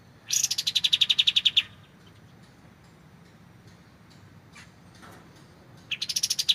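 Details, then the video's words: Kapas tembak (white-shouldered triller) delivering a fast series of bright, high repeated notes lasting over a second. After a long, quiet pause with faint ticks, a second rapid burst begins. "MASTERAN kapas tembak suara jernih"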